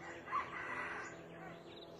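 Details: Distant male red junglefowl crowing from a tree at a trapping site for wild chickens. A muffled, hoarse crow lasting under a second rises over a steady low hum and background noise.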